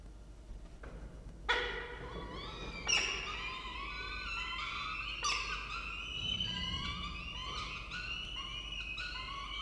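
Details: Peregrine falcon at a nest in Orange, Australia, filmed by a nest camera as the male delivers food; loud harmonic wailing calls from several birds overlap, rising and falling in drawn-out notes, with sharp onsets near two and five seconds.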